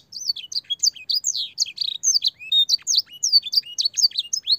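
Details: Clear-voiced canary training song for young birds, with blackthroat and sanger fill: a continuous stream of high, varied whistles and quick chirps, many sweeping downward, delivered without pause.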